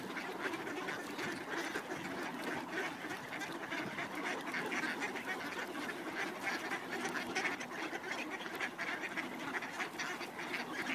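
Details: A flock of ducks being fed in the snow at Cuerden Valley Park calls nonstop, with rough, overlapping quacks merging into a steady, noisy clamour throughout.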